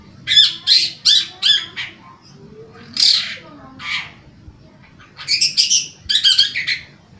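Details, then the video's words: Long-tailed shrike in vigorous song, used as a lure to coax silent, stressed or young caged shrikes into singing: bursts of harsh, scratchy high notes in quick clusters, with brief pauses between phrases. "Suara Cendet Gacor"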